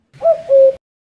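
A common cuckoo gives its familiar two-note 'cuck-oo', a soft hooting higher note followed by a slightly lower, longer one, heard once with no other sounds.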